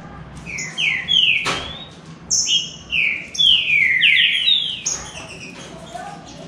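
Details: Rufous-bellied thrush singing in a contest among three birds: a rapid series of loud downslurred whistled notes, some paired, with a sharp click early on and high thin whistles overhead; quieter notes trail off at the end.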